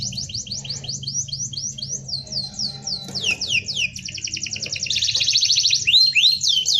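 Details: Dense rolling canary song used as tutoring material: a run of quick rising-falling whistled slurs, then a rapid buzzy trill building louder, finished by bright swooping notes, with faint low hum beneath.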